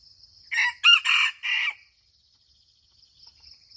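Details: Red junglefowl from Aceh crowing: a short four-part crow, a rough first note, a sharp higher second, then two longer buzzy syllables, all in about 1.3 seconds, over a steady high insect drone.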